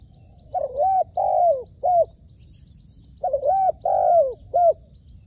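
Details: Spotted dove kept as a trained decoy bird, being trained on a roof, giving two low cooing phrases, each a quick looping coo, a longer drawn coo falling at the end, and a short final coo, separated by a pause; faint high hiss in the background.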